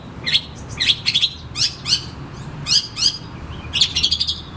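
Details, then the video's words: Oriental magpie-robin song, used to stimulate caged magpie-robins that are reluctant to sing: quick bursts of high, sweeping whistles and chattery notes, phrase after phrase about every half second, over a faint low hum. "Kacer Macet Bunyik Langsung Bukor Bongkar materi"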